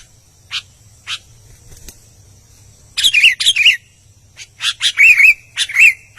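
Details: An albino sooty-headed bulbul singing actively. Scattered short chips open the passage, then clusters of bright, bubbly warbled notes with quick up-and-down inflections follow in rapid bursts, separated by brief silences, over a faint low hum.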